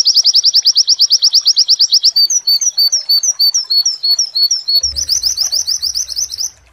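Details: White-eye (pleci) in a training recording, singing a 'wit wit' song joined with imitated mantenan phrases. Rapid, high, evenly spaced whistled notes run for two seconds, then slower, varied downslurred notes, then a fast burst of high rising chips with a faint low thump.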